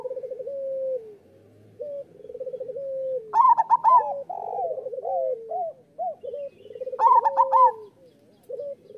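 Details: Zebra dove song from local birds, played to train lazy or molting doves. Rolling trilled coos alternate with two high, staccato note bursts about four seconds apart, plus short looping phrases.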